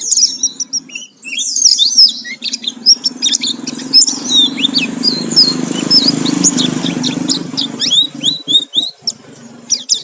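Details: Oriental white-eye singing as a lure: bright, high twittering and sharp slurred chips over a steady low hum of background noise, with a busy burst of notes at the start and again near the end.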